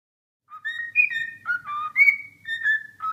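A cockatiel whistles a tune of clear, sliding notes that step between mid and high pitches, about one phrase a second, with faint low background noise.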